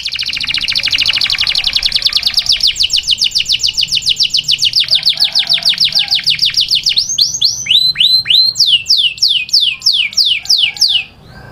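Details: Song of a male canary directed at a female: a long rolling trill of quick repeated notes, speeding then slowing into widely spaced, sharply falling whistled sweeps near the end.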